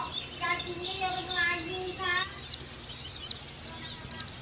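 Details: Oriental white-eye (pleci) masteran for getting pleci to 'nembak': a lower, harmonic warbling voice fills the first two seconds, then high, sharp white-eye chirps burst out in a quick, uneven series.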